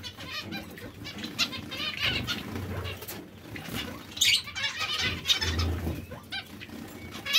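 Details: Breeding pairs of zebra finches calling together: bursts of nasal, trumpet-like chirps crowding one another, with brief quieter gaps and a soft low hum underneath.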